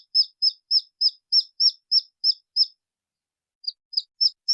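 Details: Red junglefowl chick crying: sharp, high, downward-slurred peeps about three per second. A run of nine breaks off, then four more resume after a pause of roughly a second. The background is otherwise silent.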